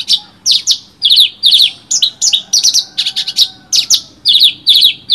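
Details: Branjangan, a bush lark, singing for use as tutoring material: paired and tripled high chirps, fast, buzzy and slightly irregular, repeated in close bursts over quiet background.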